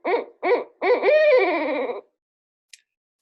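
Barred Owl giving two short, rich hoots, then a long drawn-out hoot that wavers and slides downward, like the end of 'who cooks for you all'.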